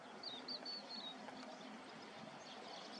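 Eurasian oystercatcher giving four quick, high, piping whistles that slur slightly downward within the first second, over a steady hiss of wind or surf.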